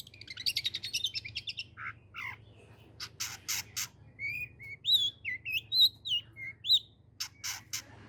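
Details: Cendet, the long-tailed shrike, opening with a fast scratchy trill, then mixed harsh bursts and clear whistled upslurred and looping notes, varied and mimic-like, above a faint low hum.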